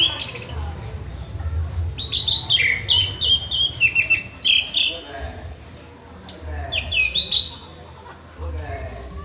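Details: Orange-headed thrush in a training tutor recording, delivering several dense phrases of high whistles, scratchy buzzes and quick chattering notes, each lasting one to two seconds with brief pauses, over low background hum.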